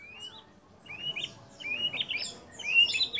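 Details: Tutor recording of a white-rumped shama singing fill-in imitations of other birds such as kapas tembak, cililin, lovebird and canary: fairly soft, rapid chirping phrases of short upswept whistles and twittering notes, building toward a louder end.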